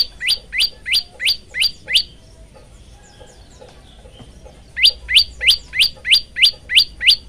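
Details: A male prinia in full song, used as a lure or training song for other prinias: sharp, high, downslurred notes, about three per second, in bursts of seven to nine separated by a short quiet pause.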